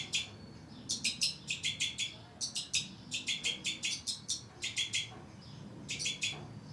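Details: A captive breeding pair of two-barred (white-winged) crossbills with their young give bursts of dry, bright chip notes, several a second, with brief gaps between series, over a faint low rumble.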